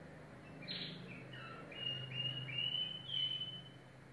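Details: Yellow domestic canary heard more faintly: a series of short rising high trilled notes over a low background hum.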